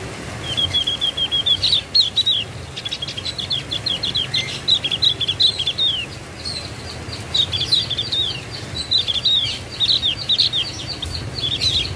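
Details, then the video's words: Javan white-eye singing a long, fast, high twittering song of rapid chirped notes in bursts, nearly continuous over twelve seconds with brief gaps, wavering up and down in pitch; low background hum. "BURUNG OPIOR JAWA SUARA MANTUL"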